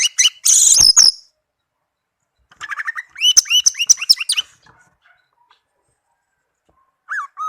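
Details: Pet orange-headed thrush, tame and caged, sings a loud burst of harsh high notes, then a run of repeated swooping whistles, and finally two soft lower slurred notes.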